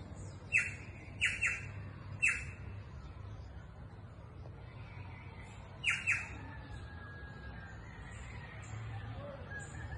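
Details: Green jay giving harsh, rasping squawks, singly or in quick pairs, about six over ten seconds, over a steady low rumble, recorded in the countryside.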